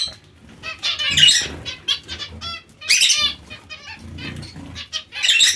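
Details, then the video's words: Zebra finches calling in three loud clusters of harsh, nasal notes, with quieter scattered chirps between. "Il diamante mandarino o bengalini"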